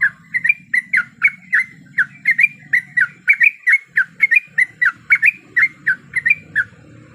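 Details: Female yellow-vented bulbul, breeding condition, calling a male as lure audio: long, steady chattering sequence of loud, clear, down-slurred chirps, roughly three per second, over low rumble.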